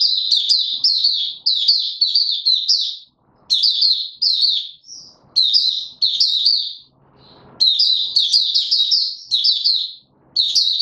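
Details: Male white-eye in a cage, pushed toward form on 31 December 2021, repeats loud high twittering phrases in clear bursts with short silent breaks, one brief scratchy rustle between them.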